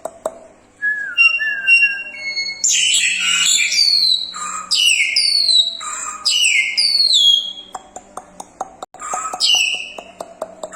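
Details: Crested myna in lively, rich full song: soft rising whistles build into loud descending whistled slurs and harsh buzzy notes, ending with a series of sharp clicks and a final whistle.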